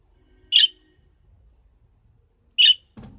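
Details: A young budgerigar being accustomed to its new home gives two short, bright, high chirps about two seconds apart, followed by a brief low thump.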